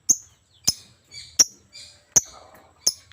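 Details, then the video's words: Lovebird calling with piercing, squeaky chirps repeated roughly every three-quarters of a second, softer buzzy notes between them. "burung Lovebird super gacor abis"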